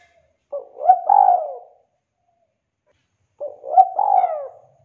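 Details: Tekukur, the spotted dove, singing gacor as a lure to start silent birds singing: two separate low cooing phrases, each a short note rising into a longer rolling, slightly descending coo, about three seconds apart, clean background.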